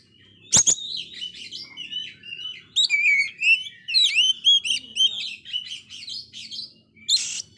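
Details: Oriental magpie-robin whose moult failed, singing very actively to stimulate discouraged magpie-robins; after a harsh rasping burst comes a long varied sequence of quick slurred whistles, rising and falling, ending with another harsh burst.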